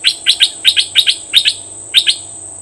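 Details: Fierce caged decoy Cream-vented bulbul in May 2021 gives loud, bright paired chirps, doubled notes repeated rapidly about every quarter second, with a constant high-pitched whine behind.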